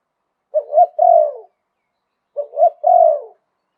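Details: Spotted dove singing the liu tan style, a wild-type voice of the Thai dove-keeping tradition: two phrases, each two short hooting coos then a longer wavering coo sliding down at the end, about two seconds apart, with silence between.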